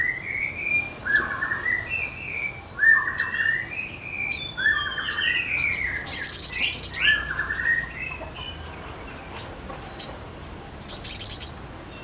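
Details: Sogon singing vigorously: series of slurred whistled phrases around mid pitch, some rising and falling, mixed with sharp high chips and a fast buzzy high trill lasting about a second, repeated twice.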